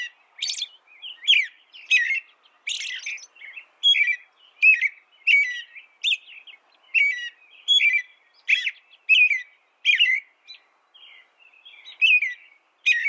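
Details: American robin singing a long run of short caroling phrases, each a slurred warbled note followed by high thin overtones, given in quick succession about every half second with brief gaps; no other clear sounds.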